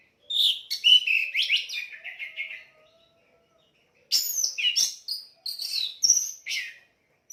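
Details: Orange-headed thrush in full song for bird training: long runs of fast, varied whistles and chattering notes, a pause of over a second, then another vigorous high, mixed phrase.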